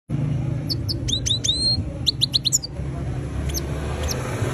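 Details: European goldfinch giving a run of quick sharp chirps, then a burst of downslurred notes and a few spaced high tweets, over a steady low rumbling background noise.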